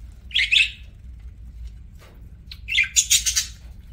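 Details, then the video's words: Parakeet eating and chirping indoors: a harsh chirp early, then a burst of rapid scratchy chatter near the end, with steady low background hum. "PARAKEET EATING SOUNDS"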